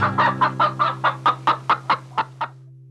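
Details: Chicken clucking in a quick run of about eleven short, evenly spaced clucks over two and a half seconds, then falling silent; a steady low hum continues underneath.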